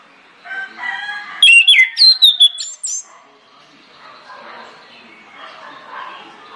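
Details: Orange-headed thrush singing loud, persistent lure song meant to set other birds singing: a burst of sharp whistled slurs, then a fast run of clipped, evenly repeated high notes lasting about a second and a half, followed by soft murmuring background.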